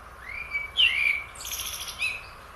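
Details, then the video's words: Blackbird singing in Asia: a whistled phrase sliding upward into clear fluted notes, then a high, scratchy twitter, closed by one brief whistle, over a quiet background. "Blackbird Singing / Bird Song"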